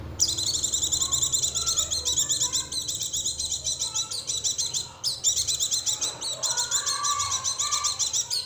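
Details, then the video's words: Oriental white-eye song used as a lure to make other white-eyes sing: a continuous high, rapid twittering warble, densely packed buzzy notes running almost without pause, briefly breaking near the middle, with faint lower whistles beneath. "pancingan suara untuk pleci agar mau kluar isian"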